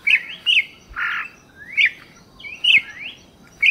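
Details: Campo troupial song: clear slurred whistles alternating with a harsher, broad rasping note and rising swept whistles, loud and close with little background noise.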